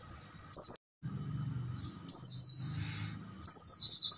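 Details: Oriental white-eye night song used to train caged birds: a short whistle and trill, a brief dropout, then two long, high, downward-tumbling twittering phrases over a soft low rumble.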